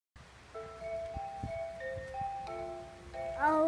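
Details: Only music plays: steady, bell-like mallet tones in a slow melody, with no animal calls.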